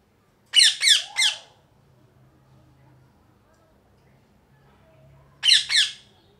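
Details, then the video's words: A pet parrot, possibly a green ringneck, gives harsh, loud squawks, three in quick succession, then a pause of about four seconds before two more; faint room hum underneath. "Loud Parrot Chirping"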